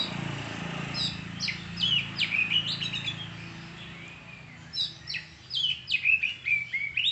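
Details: Oriental magpie-robin (kacer) song of clear whistled phrases, sharp downward slurs and quick chirps repeated in bursts, with a brief pause midway before the phrases resume, a low hum beneath.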